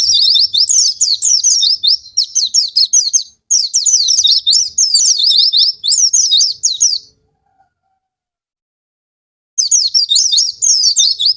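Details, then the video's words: Oriental white-eye song used to prompt untrained, reluctant birds to sing: loud, rapid high twittering of quick slurred notes in dense bursts, then a pause of about two seconds before the chatter resumes. "Pancingan pleci bahan,ini cocok untuk pleci yang malas bunyi macet"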